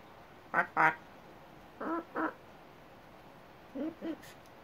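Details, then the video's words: Pet hyacinth macaw outdoors on a balcony, chatting and trying to say its name and other words: three pairs of short, hoarse, voice-like syllables, the first pair loudest, the later pairs softer and lower, with quiet background. "Chatty hyacinth macaw"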